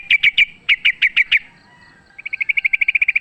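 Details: Sooty-headed bulbul recorded in the wild during a fight: a string of loud, clipped chirps, a quiet pause, then a rapid, accelerating series of short bright notes.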